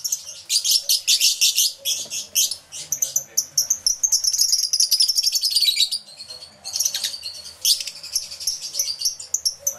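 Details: Many lovebirds in an aviary, including yellow-collared lovebirds, recorded live with two external microphones; dense high-pitched shrill chattering and rapid chirps overlap continuously, with brief pauses and a sustained squealing stretch in the middle.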